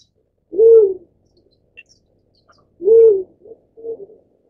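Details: A Black-chinned Fruit Dove gives deep, soft hoots about two seconds apart; the second hoot is followed by two quicker, fainter notes. Otherwise quiet.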